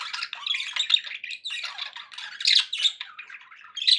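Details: Indoor pet budgies giving busy warbling chatter, scratchy and buzzy with sharp squeaks and a few louder squawks near the end.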